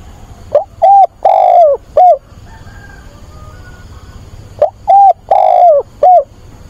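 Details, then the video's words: ['Spotted dove decoy cooing to attract a mate. Two matching phrases about four seconds apart, each of short and long mellow hoots with the long note falling away. A faint thin tone sounds between them.'] "Cu mồi gáy gọi tìm bạn"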